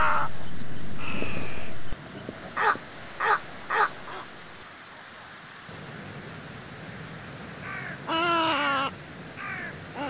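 Little egret giving harsh, rasping croaks: three short squawks in quick succession, then a longer gargling croak, over a steady low rumble.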